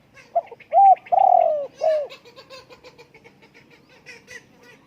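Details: Spotted dove cooing: soft introductory notes, then a loud clear coo, a long drawn-out wavering coo and a shorter falling one, followed by faint soft repeated notes.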